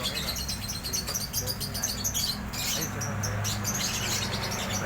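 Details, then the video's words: Drongo singing energetically, a dense run of high, quick chirps and twittering notes that repeat and overlap for the whole stretch, over a steady low mechanical hum. "Suara burung Sri gunting gacor"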